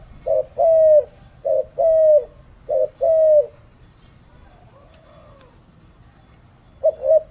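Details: Spotted dove in Malaysia giving soft mellow coos, each short note followed by a longer drawn-out one, three pairs in a row, a quiet gap, then another pair starting.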